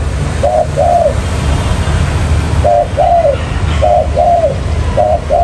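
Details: Spotted dove call used as a lure for trapping wild birds: low hollow coos in pairs, a short note then a longer falling one, four pairs spaced about one and a half seconds apart over a steady low rumble.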